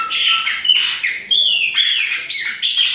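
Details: Chopi blackbird of Bahia type in autumn, with a young bird: loud ringing whistles sliding down in pitch, repeated in phrases about every half second.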